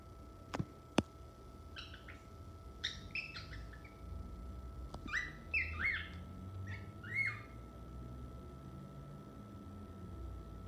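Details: Pet male cockatiel a few months old chirping indoors: scattered short whistled notes and quick two-part chirps, some rising, in loose bursts over a steady electrical hum, with a couple of sharp clicks early on.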